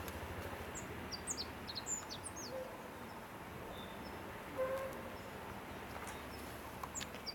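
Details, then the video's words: A Godlewski's Bunting in China, 2008, gives a brief run of thin, high, down-slurred notes, with a few scattered notes later, over a steady rushing background noise. "Godlewski's Bunting"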